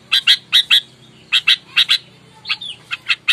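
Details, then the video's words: Fighting-mood sooty-headed bulbul lure bird: paired harsh chattering notes repeated with short pauses, one slurred whistle near the end, over a low steady hum. "Kutilang gacor, galak, tarung, full suara alam, bikin emosi lawan"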